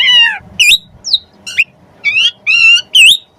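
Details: Jalak suren (Javan pied starling) training recording for magpie-robins: loud, separate harmonic notes, some falling and nasal, others sharp upslurred whistles, about two each second.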